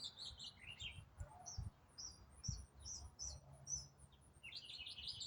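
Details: Unidentified songbird singing in autumn, part of a complex song delivered non-stop: quick varied high chirps and slurred notes in clusters, with a steady faint high ticking of insects and low rumble beneath.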